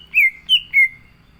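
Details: A caged green leafbird sings with energy, giving three loud, smooth whistles. Each one slides downward and the last trails off.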